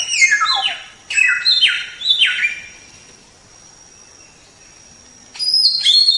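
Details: White-rumped shama tutor recording: three or four bold downward-sliding whistles, several seconds of near silence, then a closing burst of high sweeping notes, over a thin constant background tone.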